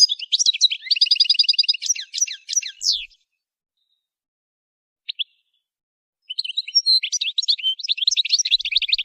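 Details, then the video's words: Goldfinch song for training birds to sing: fast, bright twittering with a dense buzzy trill near the start, quick chirps, a silent pause of about three seconds, then more rapid tinkling, chattering phrases to the end. "Song Goldfinch Training"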